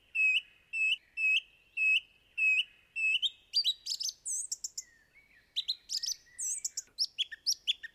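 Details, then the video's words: Song thrush repeating a clear whistled note six times at even intervals, then switching to a fast varied phrase of twittering, squeaky and chipping notes, loud and close. "Song Thrush - Bird Song"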